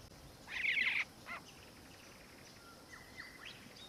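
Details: Black-faced cuckoo-shrike, melanops subspecies, Victoria, Australia, December 2019, uttering a single grating, buzzy burst, then faint scattered notes and thin level whistles in the background.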